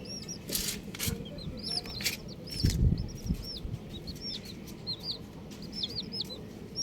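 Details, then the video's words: Colourful baby chicks peeping constantly. Many short, high, down-curved cheeps overlap, mixed with fluttering and scuffling noises and some low thumps. "Colourful Baby Chickens | Cutie Chicks Chirping Sounds"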